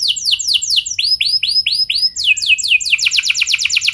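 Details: Canary song used to prompt other canaries to sing: loud, rapid phrases of descending whistled sweeps, then arched upswept notes, ending in a fast buzzy trill, each phrase repeating its note several times.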